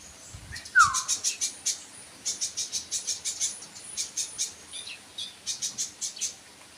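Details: Sunbird producing a fast, steady series of very high, sharp chirps after one lower downslurred whistle, the chirps running on in clusters over light background noise.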